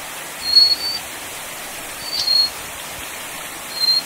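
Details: Little Forktail, Taiwan endemic subspecies living by mountain streams, uttering three sharp, very high drawn-out whistles spaced over four seconds above a steady roar of flowing water.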